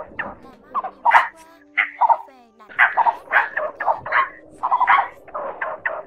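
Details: Blue-bearded bee-eater, male and female, giving flock calls used to lure birds to traps: hoarse, cackling notes in irregular bursts with short pauses, some notes sliding, over a faint mechanical hum.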